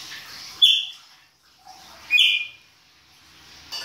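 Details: Chopi blackbird, baianinho singing style, in winter: two loud clear whistled notes about one and a half seconds apart, each sliding downward, over faint background hiss.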